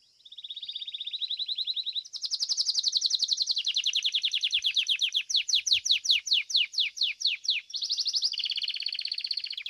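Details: Domestic Belgian canary at a singing competition delivering a long rolling trill, a fast buzzy rattle rising in pitch, then a run of crisp descending notes and a final warbling trill.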